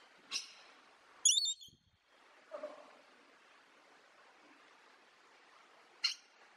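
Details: A few short, sharp bird chirps scattered across a quiet background, with a high bright note near the start, a louder burst a second later, a lower softer call midway and one final chirp near the end.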